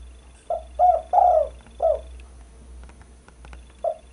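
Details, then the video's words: Spotted dove call for luring and training birds: a run of low hollow coos, three close together with the third longest, then a separated coo, faint clicks, and another coo starting at the end. "Suara burung pikat derkuku"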